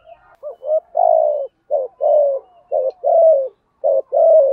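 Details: Rapid run of spotted dove coos in the thổ thúc gù style, for luring wild doves: four quick pairs of low notes, a short coo leading into a longer, fuller one, almost without pause.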